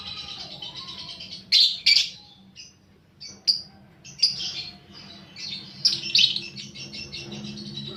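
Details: Lovebird lure recording for stimulating fighter birds, with harsh screechy bursts, short clicks and squeaky chatter coming in uneven groups separated by quiet gaps.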